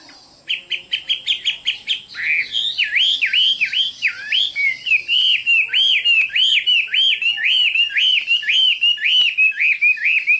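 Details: Chinese hwamei in full song, opening with quick clipped notes, then a long rolling sequence of looping whistled phrases repeated nearly twice a second.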